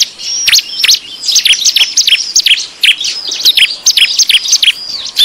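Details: Bar-winged prinia in an agitated, noisy lure recording for attracting wild birds: dense, rapid, high-pitched chirps and sharp downward-swept notes, many overlapping in quick bursts throughout, with no other sounds.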